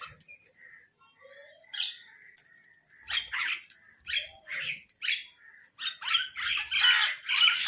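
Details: Crows squabbling while eating: a few softer tonal notes at first, then a run of harsh, raspy calls about once a second that grow denser and louder toward the end.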